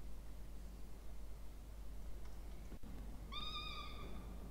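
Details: Peregrine falcon chick in a nest box at Charles Sturt University, Orange, New South Wales, being fed on 20 October 2024; after a quiet stretch and one sharp knock, a single nasal whining call ends the recording.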